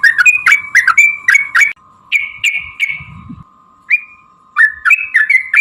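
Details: Sooty-headed bulbul singing a fighting-style 'ropel' song meant to provoke other birds into answering; quick bursts of bright chirps and a few longer slurred notes, with a pause mid-way and a constant humming tone underneath.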